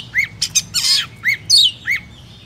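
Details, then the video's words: An Oriental magpie-robin in Vietnam, singing a lure song to set off other birds: harsh, scratchy squawks mixed with short upward-curving whistles, all over a quiet background hum. "Kích chim chích chòe than hót , tiếng chỏ mồi hay nhất Việt Nam"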